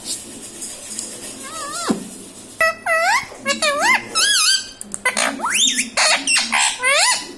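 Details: Pet parrot speaking mummy and papa: a rapid string of clipped, bent, voice-like syllables and squawks, more than a dozen, packed into the second half with short breaks.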